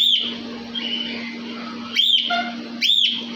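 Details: Cockatiel in an aviary giving three loud, sharp whistled calls that rise and fall, spaced about a second apart, with softer chatter and a steady low hum beneath.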